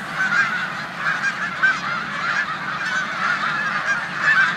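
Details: Resting snow geese on their final days in a Savannah, New York corn field, March 2020, among resident Canada geese; a continuous chorus of yelping honks, a few individual calls standing out clearly.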